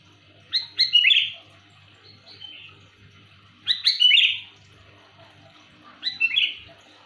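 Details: Sooty-headed bulbul giving a loud, clear call used for luring: short bubbly phrases of bright chirps sliding down, repeated about every three seconds, with a low steady hum beneath.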